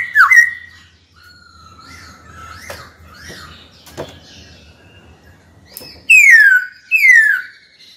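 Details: Caged white-cheeked laughingthrush singing to provoke a rival: a short looping whistle opens, then quieter distant whistles over a low hum, ending with two loud whistles sliding downward.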